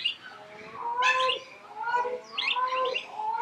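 A palm cockatoo gives drawn-out, nasal whistled calls that bend up and down, broken by a few harsh, raspy bursts over about three seconds.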